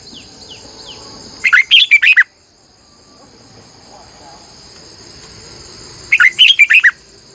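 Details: Red-whiskered bulbul used as a decoy bird, singing in the morning in a long, twisting double-voiced style. Two bursts of bright, warbled notes about four seconds apart over a steady high insect-like drone.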